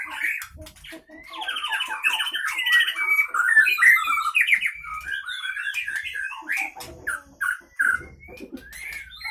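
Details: White-rumped shama from Pining, Leuser area of Gayo Lues regency, Aceh, kept in a cage and fighting, with a sharp, long-breathed song: rapid rising whistles, trills and chatter run together, then shorter separated notes among cage clicks.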